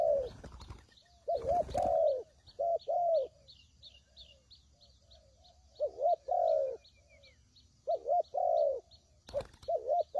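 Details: Spotted dove coos meant as a trapping lure: scattered short, wavering low coos with pauses between, broken by sharp bursts of handling noise and a faint, steady high chirping throughout.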